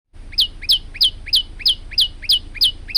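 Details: Male olive-backed tailorbird in lively song, recorded for training other birds: a steady series of nine sharp, high notes, each sliding quickly downward, spaced about a third of a second apart, over a faint low background hum.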